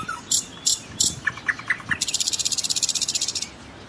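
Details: Common nightingale singing: three sharp high notes, then three lower clipped notes, then a fast, even, buzzy trill of about a dozen high pulses lasting over a second.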